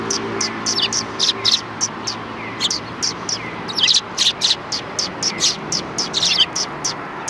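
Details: Sparrows at a Tenmangu shrine on 3 January 2020, giving rapid, high chirps almost continuously over a low background hum and faint voices.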